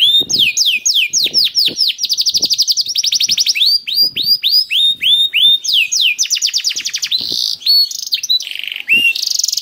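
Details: Singing canary whose song serves to prompt other canaries to sing: continuous rolls of sharply falling whistled notes at varying speeds, interspersed with fast, even trills and a few rising slurs.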